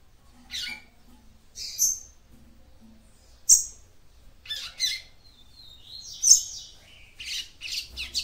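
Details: A female capped seedeater sings to stimulate the male, giving sharp high chirps and short buzzy twitters in irregular bursts every second or two against a quiet background.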